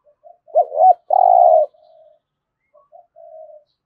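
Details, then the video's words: Spotted dove cooing in THỔ voice style, used to stir captive birds into calling: two short looping coos then a long buzzy coo near 1 second, followed by soft trailing low coos, quiet background. "Tiếng chim cu gáy thúc gù + thúc đấu đủ bài giọng THỔ giúp bổi nhanh nổi"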